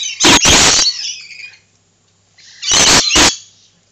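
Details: Lorikeets giving loud, rasping screeches in two clusters of paired bursts, separated by about a second of near silence, with softer chattering trailing after each cluster.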